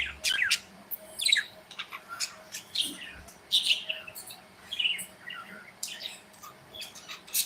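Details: Pet budgerigars flitting in their aviary keep up a steady chatter of high, quick chirps and squeaky trills, some notes sliding downward, over a faint background hum.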